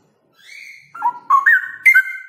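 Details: Loud ropel song of a male straw-headed bulbul: a soft rising whistle, then a fast series of clear, stepped fluty notes climbing upward in pitch over about two seconds.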